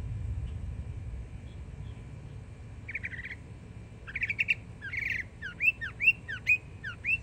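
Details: Young Northern mockingbird, a yearling, singing in Florida: after quiet low rumble, scratchy phrases begin near three seconds, then a run of repeated sharp downslurred notes at the end.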